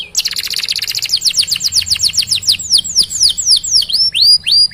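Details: Canary in full song as training material for other canaries: a rapid rolling trill breaking into steadily repeated falling whistled notes, slowing toward the end into clearer separate sweeps.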